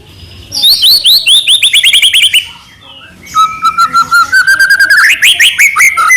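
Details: Captive-bird lure recording of a White-rumped shama, a Medan-type bird singing with full variety: fast descending whistled notes in a run, a brief pause, then a long level whistle rising into rapid chattering phrases.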